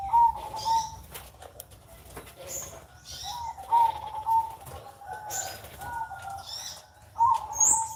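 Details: Perkutut (zebra dove) on a Sunday morning singing repeated coo phrases, each a short rolling series of mellow notes with bright accents, separated by pauses, while small birds chirp high in the background.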